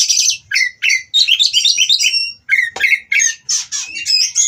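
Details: Oriental magpie-robins kept for breeding, in mating, song meant to make rivals sing: bursts of bright whistles and harsh squawky notes in quick clusters, separated by short silences, with one sharp click.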